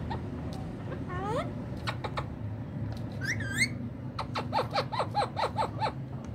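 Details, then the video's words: Pet rose-ringed parakeet speaking Urdu/Hindi words: a few rising whistled syllables, then a quick run of about seven sharp, bouncy chirps, with a low indoor hum underneath. "My best parrot ever speaking in urdu/hindi"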